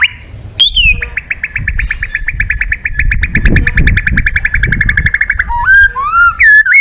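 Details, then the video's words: Energetic white-rumped shama song used to stir other birds into singing: a long, steady rapid trill of evenly spaced notes lasting about four seconds, then stepped, ringing whistles rising and falling at the end. "Suara Terapi Burung Murai Batu Gacor Emosi"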